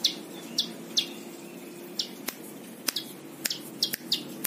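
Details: Plain prinia singing for tutoring other birds: sparse, high, down-slurred chirps spaced about half a second to a second apart, with sharp clicks and a low hum.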